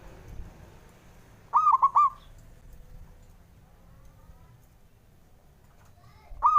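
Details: Local zebra dove male singing to goad rival birds, delivering one burst of three rapid mellow coos, then quiet with faint background hum until the next phrase begins.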